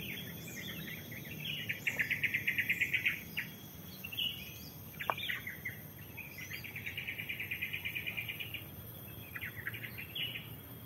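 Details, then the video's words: Birds singing in forest at the Lemah Duwur hiking post, Lorokan, Pacet: rapid, high trilled phrases of quick repeated notes, with a few sharp chirps between them, over constant shrill insect buzzing. "Suara Kicau Burung"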